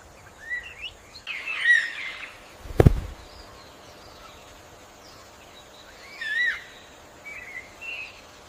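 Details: Indian roller in the wild giving scattered harsh, rasping croaks and short squeaky notes, with a sharp knock partway through over a low outdoor rumble.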